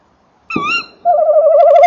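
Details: Male tawny owl by its nest box in the evening, 28 December 2013, while the female calls nearby: a short higher quavering note followed straight away by a loud, tremulous, rolling trill.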